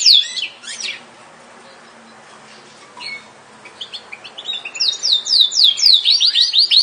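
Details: A Yorkshire canary gives a short burst of high whistles, falls quiet with only a faint hum and soft notes, then resumes with a loud run of rapid, evenly repeated chirps.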